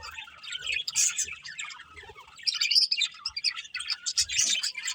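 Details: Budgerigar chirps and squeaky warbles come in irregular bursts, with a louder flurry of sharp tweets midway and a few brief clicks.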